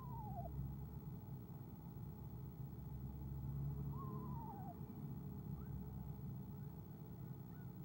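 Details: Eastern screech-owl recorded by an owl cam on 17 February 2015, trilling softly when its mate comes; two gentle, tremulous descending trills about three seconds apart, with faint higher notes after and a constant low rumble behind.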